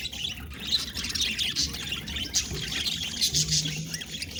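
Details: Group of pet budgerigars giving lively overlapping chatter, quick high chirps and scratchy warbles, with a brief low hum near the end.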